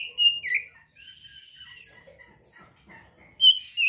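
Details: Oriental magpie-robin song, used to stimulate arousal and aggression in untrained birds: clear sustained whistles with short sliding notes and scattered soft chirps, ending in a loud bright whistled phrase.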